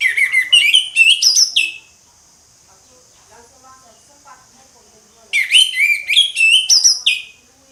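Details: Orange-headed thrush singing ngeplong: a fast tumbling series of sweet whistles and chirps, a few seconds of near silence, then a second matching burst.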